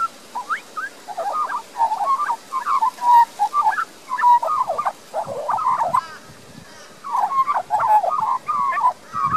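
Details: Young Australian magpie resident in a Queensland garden, Australia, recorded via Panasonic Lumix DMC LX7: extended burbling, chortling song of tightly packed mid-pitched notes, a pause midway, then the warbling resumes strongly.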